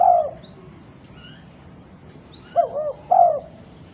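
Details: Female spotted dove calling to other doves: the tail of one low coo opens, then after a quiet gap comes one soft hooting phrase of a short note, a wavering double coo and a longer falling coo.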